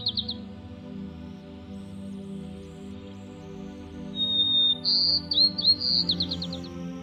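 A White-crowned Sparrow sings a clear, steady whistle, then buzzy slurred notes ending in a quick trill, over soft background music.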